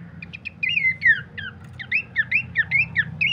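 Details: Bush babbler used as a master song for training cage birds: a string of slurred whistled notes, each rising then dipping, repeated about three times a second, over a low hum.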